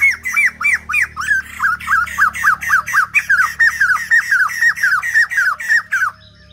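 A light-vented bulbul sings a rapid run of loud, harsh, hooked notes, about three or four each second, with a low steady hum in the background.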